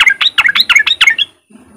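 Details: A sooty-headed bulbul's riwik phrase, a lure for coaxing other untrained bulbuls to sing: about eight fast, bright, yodelling chirps in quick succession, fading into soft background noise.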